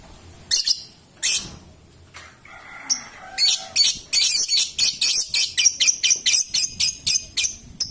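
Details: Lovebird giving its long trilling song, known locally as ngekek: a few separate high sharp chirps, then a steady run of rapid, evenly spaced shrill notes over the last four seconds.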